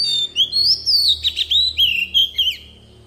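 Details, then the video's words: Oriental magpie-robin decoy bird singing a forest-style song used to voice-train young birds: rich whistled phrases that rise and fall, sliding notes broken by short scratchy bursts, about ten quick syllables with a faint low hum beneath. "Chòe than mồi hót giọng rừng cực hay"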